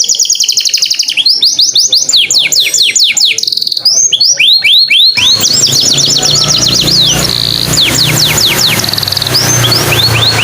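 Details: Canary song used as a lure recording to set male or female canaries singing: loud, fast series of high whistled notes sweeping down and up, with trills and short held tones, the later half over a steady broadband hiss and low hum.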